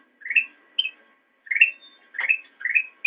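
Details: Master recording of black-crested bulbul used to train cage birds: clear, rolling, upward-slurred phrases, four of them spaced under a second apart, with a brief higher note cut off at the end.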